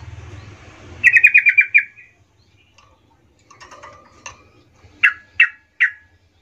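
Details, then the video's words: Lure song of a Sooty-headed bulbul in the 'gacor ngerol' style, calling companions: a quick rattled series of about seven notes, soft scattered chatter, then three loud downslurred whistles with low background noise at the start. "suara pancingan trucukan gacor Ngerol memanggil teman"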